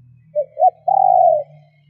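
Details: Female spotted dove giving its coo to excite males into calling: a brief coo, a second short coo, then a drawn-out vibrating coo, over a faint low hum throughout.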